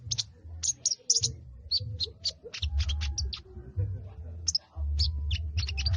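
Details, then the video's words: Sogon (Sooty-headed bulbul) in plain ngriwik chatter: dense runs of short, high, sharp chirps in uneven bursts, pausing around the middle, set against a loud low rumbling hum. "Burung SOGON poloss ngriwikk"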